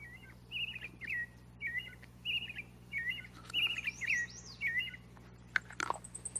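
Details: Thrush song: short warbled, chattering phrases of mid-high notes, repeated roughly every half second to second with brief gaps, over a steady low hum, ending in a sharp click and a thin high ticking series.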